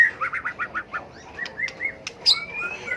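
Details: White-rumped shama, a tail-flicking bird giving competitive fighting song used to rouse and train birds; a quick run of about seven slurred notes, then clear whistles ending in a long rising whistle.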